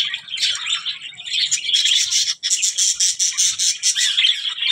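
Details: Budgerigar mixing harsh squawks into fast, scratchy warbling, with one brief pause midway before the raspy chatter resumes.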